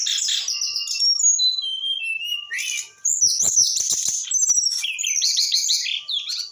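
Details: Brown-chested Jungle Flycatcher aged eight months delivering a rich, rapid song mixing high whistled notes, falling slurs and rattling chatter, pausing briefly midway before a dense burst of buzzy, trilled phrases.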